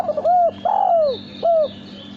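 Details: Male spotted dove kept as a cage bird for cooing contests, giving a clear three-note coo: short rising note, longer drawn-out falling note, then a short final note, with faint distant chirps behind.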